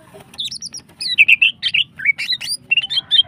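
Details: Female greater green leafbird delivering long, unbroken song intended to stimulate other birds: a continuous flow of quick, high twitters, curling whistles and sharp chirps with hardly any pause.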